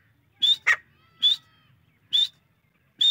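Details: Grey francolin (Francolinus pondicerianus), call.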